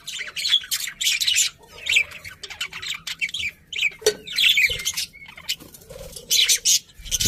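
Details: Budgerigars squawking and chirping: harsh, buzzy bursts mixed with rapid warbled chatter and a few short flat whistles, irregular and overlapping, as several birds seem to call at once.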